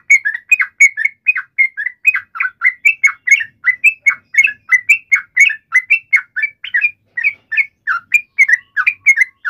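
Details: Long chattering fighting call of a yellow-vented bulbul, used to provoke a response: steady stream of short, slurred bubbly notes, several per second, staying within a narrow mid-high band without pause.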